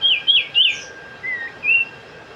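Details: Sooty-headed bulbul (cipow, cipoh) giving three bright whistled notes that jump upward, then a pause, then two lower, smoother slurred whistles. The surroundings are quiet with a faint steady hum.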